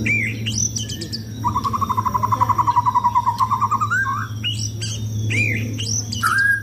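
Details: Contest-ready white-rumped shama during its routine sunbathing: a long, rapid rattling trill that rises slightly at the end, framed by upward-sweeping whistled notes and high chips, a low hum throughout.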